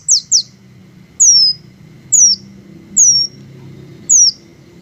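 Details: High, piercing downslurred squeaks from green hummingbirds: two quick chips, then three single chips spaced about a second apart, against a faint low rumble.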